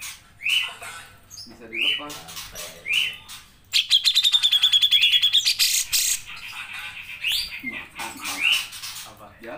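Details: Cucak jenggot, or grey-cheeked bulbul, singing strongly for a songbird training recording. Upslurred whistles spaced about a second apart frame a long rapid pulse series with a thin high trill, then more rising whistles.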